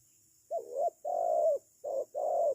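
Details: Low mellow coos from a spotted dove used as a decoy to trap birds, two phrases each made of a short lead note and a longer sustained coo, with a high faint background hum.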